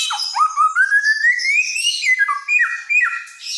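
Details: Helmeted friarbird, a loud-voiced songbird of Nusa Tenggara noted for mimicking many sounds, singing vigorously: a clear whistled note slides steadily upward, then breaks into short falling and rising phrases with harsh overtones.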